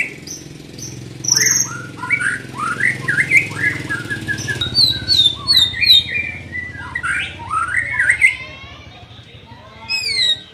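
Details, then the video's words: White-rumped shama, young bird in training, pouring out a long varied song of quick rising whistles, chips and buzzy notes, with high sharp notes near the end and a low hum behind. "Melatih Mental Murai muda"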